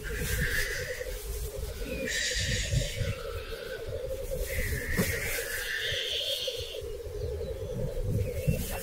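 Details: Several male black grouse at a lek, the traditional song arena where mating follows fierce fights, recorded in 2023. A steady low bubbling chorus runs throughout, broken by loud hissing, sneeze-like bursts around three and six seconds in.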